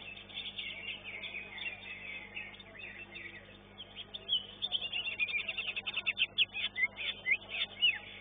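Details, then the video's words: Greater green leafbirds singing in a competition arena, elite class: a softer jumbled twitter at first, then from the middle a louder, rapid series of sharp chirps and trills repeated several times a second. "CUCAK IJO"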